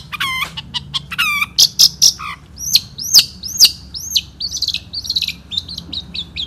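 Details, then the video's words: Long-tailed shrike, a 2016 national champion, singing in the 'satu titik' style: stacked buzzy notes, then loud high downslurred whistles about twice a second, closing with softer rapid chirps. "KICAU BURUNG CENDET JAWARA NASIONAL GAYA SATU TITIK 2016"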